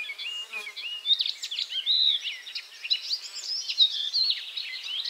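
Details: Icterine warbler continuing its song between hunts for caterpillars, delivering a dense, varied stream of high squeaks, whistled slides and harsh chatter with no real pauses.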